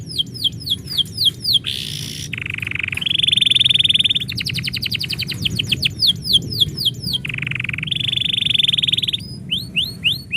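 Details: Pet canary singing when its owner is about to go out: series of quick downward whistled notes alternating with long buzzy rolls and dense rattling trills, repeated several times in a lively, continuous song.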